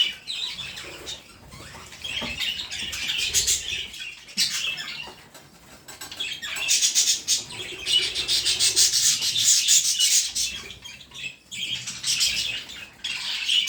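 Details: Budgerigar calling in scratchy, high-pitched chirping chatter that comes in dense bursts, fading briefly around the fourth and sixth seconds before building again into a louder run of rapid chirps.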